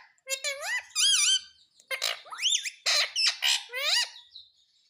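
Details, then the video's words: A rose-ringed parakeet said to talk 'Mummy Papa' gives continuous, shrill, speech-like chatter, with swooping harmonic syllables, a sharp rising squeal near the middle and a series of quick raspy notes following. "Parrot Sound _ Mummy Papa Bolne Wala Parrot _ Ringneck Parrot mitthu talking"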